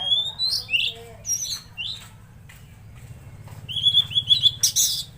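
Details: Tledekan laut in lively song, giving a string of clear downslurred and upslurred whistles, a pause, then rapid repeated high whistled notes ending in a harsh noisy burst. A low hum sounds in the background.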